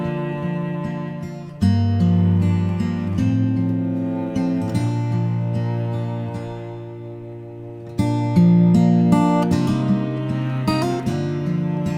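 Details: Strummed acoustic guitar music plays throughout, with sustained low chords and no animal sounds.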